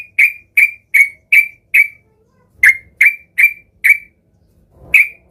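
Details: An agitated sooty-headed bulbul, seeking a rival, gives harsh clipped notes about every 0.4 seconds in a burst of five. After a pause comes a burst of four, then two more.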